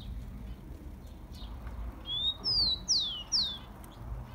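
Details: Rufous-collared sparrow (tico-tico) song played to warm up and fire up kept birds: a rising whistle followed by three loud, high, downslurred whistled notes, with faint chirps beforehand and a low background hum.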